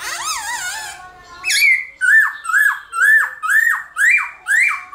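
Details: Black-throated laughingthrush giving its morning fighting song to stir other birds into singing: a rolling, wavering opening phrase, then seven evenly spaced, emphatic downslurred whistles about every half second.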